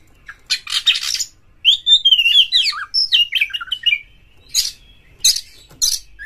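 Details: Oriental magpie-robin (kacer) song used to stimulate caged birds to sing, spread the tail and fight: sharp high chirps, then a run of fluted rising and falling whistles near the middle, ending in bursts of harsh buzzy notes.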